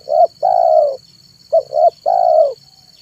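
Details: Spotted dove (tekukur) decoy in afternoon song to attract wild doves: the end of one phrase, then a complete phrase of two short coos and a long, drawn, descending note.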